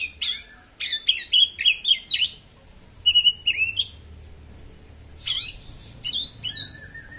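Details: Oriental magpie-robin in sharp, piercing song, used to provoke other magpie-robins: bursts of loud harsh chattering notes mixed with clear whistles, in groups separated by short pauses.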